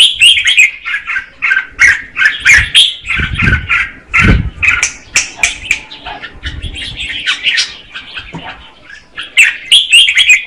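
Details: Red-whiskered bulbul hen singing to stimulate the male, long series of warbled, slurred notes in bursts, interrupted by several low thuds and rustles from movement.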